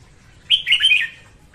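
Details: Female red-whiskered bulbul singing in the morning, a sound used to train birds to sing and to lure them to traps: one short warbled phrase of quick up-and-down whistled notes, lasting about half a second.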